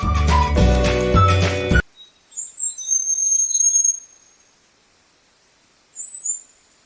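Sri Lanka Whistling-Thrush giving thin, very high drawn-out whistles in two short bursts, after a brief stretch of music.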